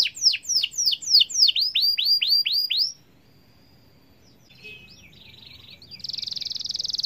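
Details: Atlantic canary long continuous song for prompting other canaries: about three seconds of fast falling whistled notes repeated several per second, a near-silent gap with faint phrases, then a high buzzy trill.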